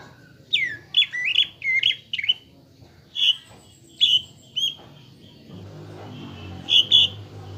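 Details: Lively greater green leafbird lure song meant to make a caged bird emotional and build a fighting mentality: sharp, bright chirps and short twittering phrases in spaced bursts, with low background rumble in the second half.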